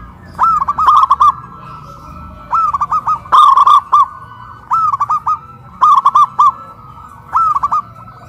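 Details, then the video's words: Zebra doves kept in cages in Kuningan, West Java, Indonesia, raised high on a pole hoist and cooing boldly. About six ringing coo phrases, each a quick run of four or five notes, repeated every one to one and a half seconds. "PERKUTUT LOKAL SUARA BESAR VS SUARA KRISTAL"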